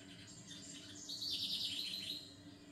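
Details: Small bird singing a fast, high, buzzy trill that swells in the middle of the clip and fades, over a soft constant low hum.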